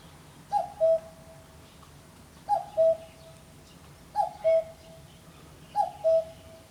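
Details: Common cuckoo recorded at 5 am in a backyard on 28 May 2017, giving four evenly spaced descending two-note cuckoo calls, roughly every 1.7 seconds, with soft ambient noise behind.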